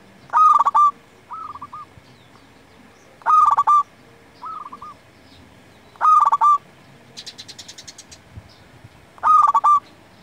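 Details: Actively singing local zebra dove, kept for luring and training other doves: four rolling cooed phrases roughly every three seconds, softer coos answering between them, and a brief buzzy burst from another sound midway.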